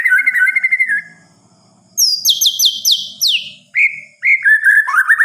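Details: Night song of a white-rumped shama: a sweet warbled phrase, a pause, then a series of high, sharply descending whistles, followed by lower slurred whistled notes.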